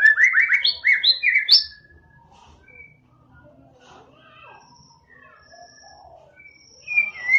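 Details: Murai batu (white-rumped shama) gives a burst of loud, quick whistled phrases and trills, then fades to faint scattered notes before a final whistle.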